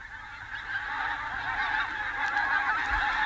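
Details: A flock of Pink-footed geese arriving to feed in winter gives a dense chorus of overlapping high, yelping honks that runs without pause throughout.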